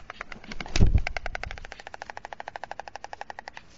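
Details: White stork at its nest on the town hall tower of Alcalá de Henares, Spain, at dusk, around 21:55, as the male feeds two chicks: a dull thump, then a dry, rapid, even rattle of clicks, about ten per second, fading out.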